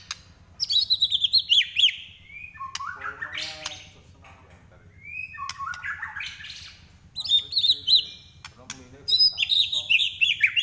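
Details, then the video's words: In fighting form, a white-rumped shama pours out trotol song, dense bursts of very high rapid chips and trills alternating with lower harsh rattling phrases, separated by short pauses. "Murai Lepas Trotol Tarung"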